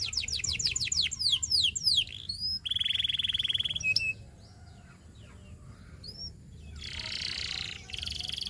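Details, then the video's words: Canary song used for training: rapid descending whistled sweeps, then a dry buzzy roll, sharp chips and a harsher rasping burst separated by brief pauses. "Make Your Canary Sing All Day Long!"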